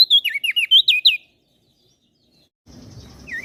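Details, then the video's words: Brief burst of common iora and bar-winged prinia song from Lombok for cage-bird training: about a second of rapid, high whistled notes, then quiet and low background noise. "Opior Jambul gacor Mental Juara Masteran Jitu Burung Prenjak Daun Lombok"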